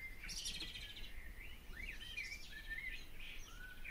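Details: Short burst of barn swallow song: a rapid twittering run followed by looping slurred warbles, heard against a constant background hiss.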